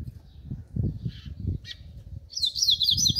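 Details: Double-collared seedeater with low thumping and handling noise at first, then about a second of its 'grego' style song, a quick string of high, buzzy, zigzagging notes.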